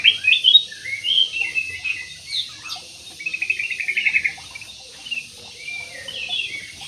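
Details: Aviary-kept jumbo budgerigars chattering. Quick, high chirps and rapid trilled notes run together, louder at the start and in the middle, with a steady faint hiss behind them.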